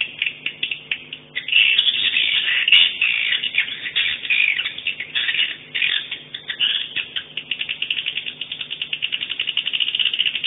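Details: Swiftlet calls entered in a 2017 swiftlet sound tournament, day 2, in a recording styled "50 kisses": dense, rapid, harsh high chirps that run almost continuously and pulse faster toward the end.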